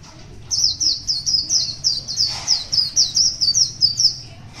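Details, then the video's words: Morning song of a wild one-year-old white-eye. After a quiet half second, a steady chain of thin, high, falling chirps runs for over three seconds, briefly overlapped by a soft rushing noise midway, over a faint low background hum. "Birds Zosteropidae wild very beautiful, pure singing very good 1 year"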